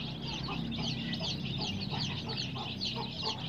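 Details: Chicks chirping together: a dense chorus of high, overlapping peeps over a constant low rumble.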